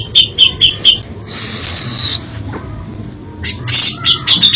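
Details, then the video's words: Isian song of a grey-cheeked bulbul: a few quick high chips, a drawn-out whistled note held almost a second, a pause, then harsh bursts and chips. "Variasi ISIAN Cucak Jenggot ini bikin merinding kicauannya"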